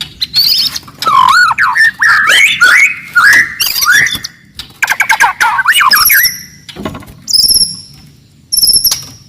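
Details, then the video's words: Forest white-rumped shama with loud, aggressive song to provoke rivals: swooping whistled phrases and chattering bursts, later thin high sustained whistles separated by pauses. "KICAUAN MURAI BATU HUTAN, VOLUME KERAS, AMPUH MENAIKAN EMOSI LAWAN"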